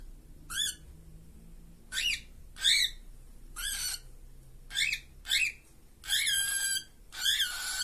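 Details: Two caged cockatiels give seven bright, rising-and-falling whistled calls at irregular intervals about a second apart; the last two are harsher and more screechy.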